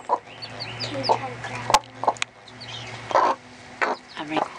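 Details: Hen teaching her 2.5-day-old chicks to eat and drink inside a small coop repeats short low clucks to signal she has found food. Faint high chick peeps and a few longer broad bursts accompany a constant low hum.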